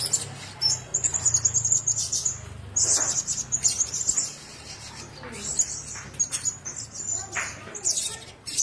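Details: A caged group of blue-crowned hanging parrots calling in bright, rapid high trills and squeaky chirps in rhythmic bursts, over a low rumbling hum.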